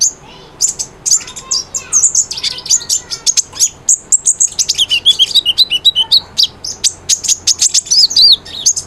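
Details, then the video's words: A konin (kolibri ninja) sings vigorously on a training recording for a silent bird: an almost continuous stream of rapid, very high chirps and thin trills, roughly three or four notes each second. "MASTERAN KONIN GACOR, SANGAT AMPUH BUAT PANCINGAN BUNYI KONIN YANG BISU"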